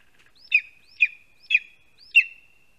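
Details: Lesser spotted eagle chick in its nest in a spruce in Latvia, early August 2020 at midday, as a vole is delivered: four piercing, downward-sliding yelping notes, each trailing into a thin whine, roughly every half second.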